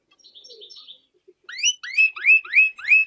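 A goldfinch–canary hybrid sings: a soft, high twitter, then a loud run of rising, whistled notes repeated about three times a second.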